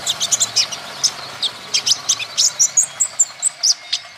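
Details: Male olive-backed sunbird from Natuna, green type, kept to stimulate other birds' singing: lively run of high chips and tiny whistled slurs, spaced evenly about four per second throughout.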